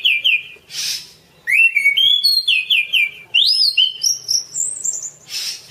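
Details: Masteran track of orange-banded thrush song: pure whistled notes stepping upward in a short ladder, clean and musical, bracketed by two harsh hissing bursts.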